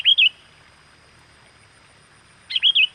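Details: Sooty-headed bulbul calling to attract wild birds: two loud, clear, rolling whistled phrases with a wavering up-and-down contour, spaced a few seconds apart.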